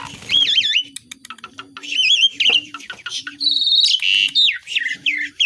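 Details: Wavering, looping whistles open this Asian pied starling song, which is full of imitations. Clicks and chatter follow, then a long steady whistle and sharp downslurred notes.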